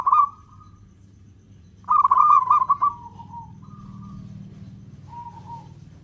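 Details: Zebra dove, a local bird singing with long beats as a lure for other doves: a brief coo at the start, then a stuttering, pulsed phrase that fades into softer, lower coos against a low rumbling background.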